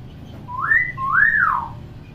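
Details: Tame pet common hill myna with a clear voice: a paired whistle, a brief rising slur and then a longer rising-and-falling arch, over quiet background hum.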